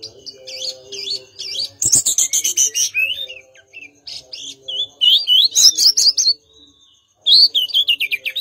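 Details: Mangrove blue flycatcher singing: rapid, varied high whistled phrases with sweeping notes, short chattering bursts and a brief pause before a final run of twittering notes.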